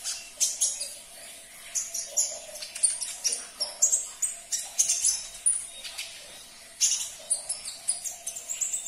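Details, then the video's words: Sunbird, known locally as konin, in a recording played to prompt caged birds to sing: rapid, very high thin chirps and sharp twittering notes in quick bursts throughout, with a faint steady hum beneath. "Putarkan 1 menit saja video ini KONIN anda pasti langsung nyaut"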